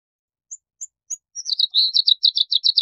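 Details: Bluethroat (Luscinia svecica) gives three thin, high, evenly spaced notes, then breaks into a fast run of buzzy, ringing twitters repeated about five times a second.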